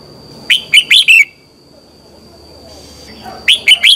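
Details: Red-whiskered bulbul singing at morning, a lure song for training: a phrase of four clear, lilting notes, then silence, then three more notes starting a new phrase; a thin steady high tone persists.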